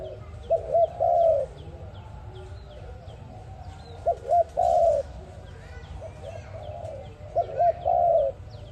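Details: Trapping lure recording of a dove: three coo phrases, each two brief rising notes followed by a drawn-out coo, spaced about three seconds apart over a low hum and faint small-bird chirps.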